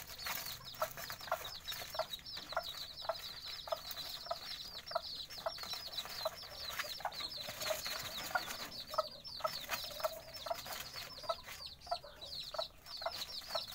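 Bantam chicks peep constantly, a dense chorus of thin, high, sharply falling notes.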